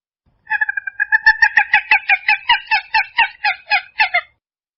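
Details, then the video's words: Purple gallinule giving a long series of harsh, clucking notes in an unedited recording, starting with fast soft notes, then steady loud cackles about four per second for some three seconds. "Som limpo do canto🎵 do Frango d’água azul"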